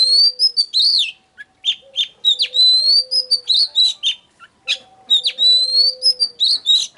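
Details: Oriental magpie-robin song played to stimulate singing and lure wild birds: rich, varied phrases of clear slurred whistles, sharp rising and falling notes and quick chattering bursts, with brief pauses between phrases, over a faint steady low tone.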